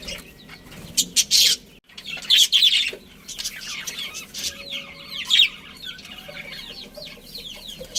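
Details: Pet budgies from a colony with a breeding pair, several birds chirping together: loud clustered squeaky chirps early, then a stream of softer rising and falling warbled notes.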